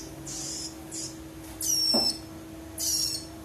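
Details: Young prinia chick (ciblek rowo), calls used to judge male or female: raspy high hissing squeals in short bursts, one with a thin whistled streak, plus a brief lower squeak, against constant low electrical hum.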